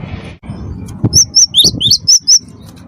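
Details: Cinereous tit, wingko type, singing chattily as a lure for other singers: a tight burst of about six shrill whistled notes, flat and down-slurred notes alternating, set against low rumbling sounds.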